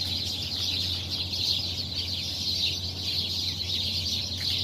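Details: Early-morning gathering of many birds in a tree, their high, rapid chirping overlapping into a constant shimmering chorus, with a low background hum.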